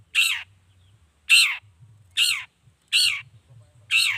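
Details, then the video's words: Long-tailed shrike giving rasping, down-slurred squawks meant to make other shrikes answer; five harsh notes spaced roughly one second apart, with a soft low hum between them. "Suara Cendet Gacor Pagi Siang Sore Biangnya Bikin Cendet Manapun Nyaut Emosi Ikutan Bunyi"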